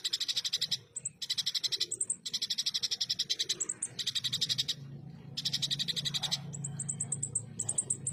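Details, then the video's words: Rough 'full tembakan kasar' singing of a ruby-cheeked sunbird, used to tutor competition birds: long blocks of rapid harsh high trills broken by short pauses and thin chips, with a low hum in the background. "MASTERAN FULL TEMBAKAN KASAR, SUARA JERNIH BURUNG KONIN ASLI"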